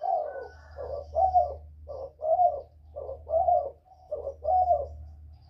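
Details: Spotted dove of the northern Vietnamese style, a whistle-voiced bird, calling to provoke wild doves: a run of about eight soft, mellow coos in short grouped phrases, some with a brief lower lead-in note, over a steady low hum.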